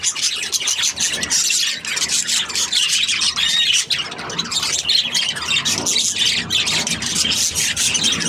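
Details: Happy budgerigars chirping and squawking in a steady, lively jumble of shrill notes and chattering warbles.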